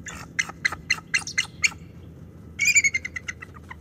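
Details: Female bald eagle defending her nest and territory alone from an intruding male floater at the NCTC nest, November 20, 2023; a staccato series of sharp, high chattering notes, about eight evenly spaced, then a louder, quickening burst of squealing notes.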